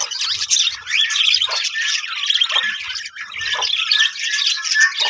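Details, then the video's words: Budgies in a breeding colony, continuous scratchy squawks and chirps from several birds, with occasional sharper calls standing out over the din. "budgies parrot colony setup"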